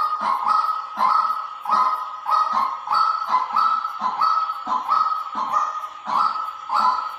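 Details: White-breasted waterhen decoy: a dense, steady string of rasping mid-pitched notes, some doubled, repeating about every two-thirds of a second, with a slight hiss in the background.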